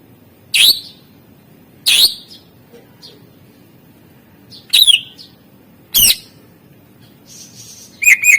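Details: Greater green leafbird, 'isian' master song meant to coax quiet birds: scattered sharp, ringing notes and short twisting chirps separated by gaps of one to three seconds, with a faint low background hum.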